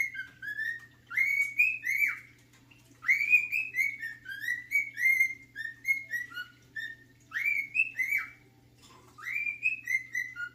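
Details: Male pet cockatiel whistling his favourite tune, The Sounds of Silence: clear whistled notes that swoop upward then hold or fall, grouped in short phrases with brief pauses between, over a steady low hum.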